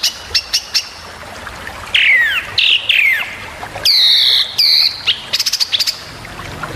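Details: Long-tailed shrike master song for tutoring other birds: scattered short ticks, then loud downslurred notes and harsh flat bursts, ending in a quick stuttering flurry.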